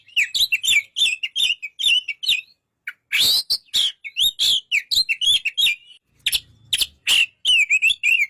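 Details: White-rumped shama singing a fast, varied run of whistled slurs and chirps, interspersed with harsh loud bursts, nearly continuous for eight seconds.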